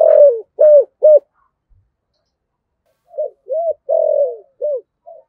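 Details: Spotted dove singing with the 'thổ' voice, ending one phrase of three coos, then after a pause starting a new phrase of soft short coos, a long falling coo and a quick arched note.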